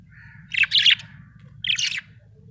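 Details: Two short bursts of chattering, scratchy warbles from a budgerigar described as happy, each rising from a soft chirp, over a low steady hum.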